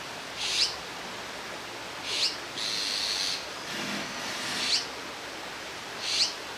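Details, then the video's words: Fledgling Azure-winged magpies out of their nest in Jirisan National Park, lined up on a branch for parental feeding; sharp, high, scratchy begging notes about every two seconds, with a longer hiss between them. "물까치의 육추"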